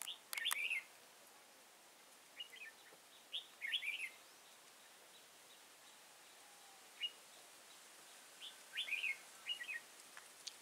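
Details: Red-whiskered bulbul at Kim Bôi, Vietnam, on 6 April 2017, singing a fighting song against a caged decoy bird during trapping. Short bubbly warbled phrases come in bursts a few seconds apart over a faint steady hiss.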